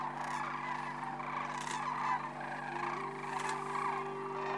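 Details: Massed sandhill cranes calling at their March roost on Nebraska's Platte River during migration. A loud, unbroken wall of rolling, trumpet-like calls from many birds, with a low steady hum beneath.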